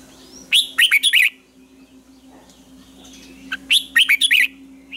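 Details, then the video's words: Red-whiskered bulbul morning training song, tense double twisted style used as lure sounds: two rapid bursts of four or five loud, rich warbled notes each, separated by about two seconds of quiet, over a constant low hum. "luyện chào mào hót sáng hay nhất 2020, Âm kép xoắn căng, cách luyện chào mào hót căng lửa"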